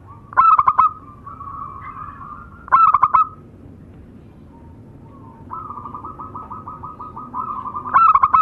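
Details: Male and female local zebra doves singing together. Three bursts of clipped, rolling coos, each a fast cluster of four or five notes, separated by a softer continuous trilling coo from another dove.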